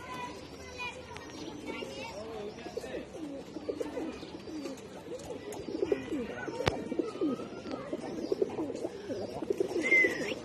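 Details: Khaki pigeon with wavering, throaty cooing that rises and falls almost continuously, with a few high chirps and one sharp click in the background.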